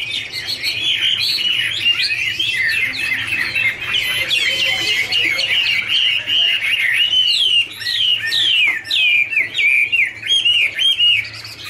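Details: Duetting Chinese hwamei (Garrulax canorus) with dancing display, pouring out a long, varied warble of bright whistles, quick trills and looping slurred phrases, growing denser and more rapid toward the end.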